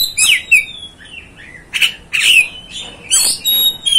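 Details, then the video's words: Oriental magpie-robin in lively song that mixes high thin whistles, slurred falling notes and rasping, scratchy bursts, delivered in quick irregular phrases with short pauses. "MEMBAKAR EMOSI KACER ANDA"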